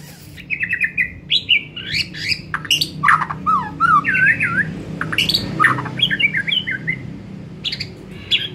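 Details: White-rumped shama giving an afternoon lure song to stir other shamas into song: a dense, varied medley of fluting whistles, loops, harsh squawks and fast mimicry-like notes over a steady low hum.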